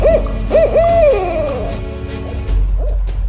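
A Barred Owl gives two short, rounded hoots and then a long, wavering hoot that slides downward. Faint background music is heard under the calls.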